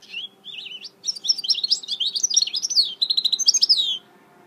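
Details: Mule goldfinch hybrid from 2018 delivering a continuous fast warble of high, twisting notes and chattering trills for about four seconds, over a faint constant hum.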